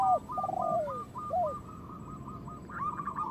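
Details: Zebra dove of local stock, its song played to stimulate other doves to sing and come into breeding condition: a few low, drawn-out, downward-gliding coos, then a steady train of short, clipped higher notes.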